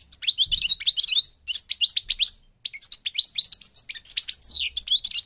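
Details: European goldfinch, race parva, from Morocco, singing a continuous bubbly twitter of quick high notes with a short gap and a drawn, slurred note near the finish.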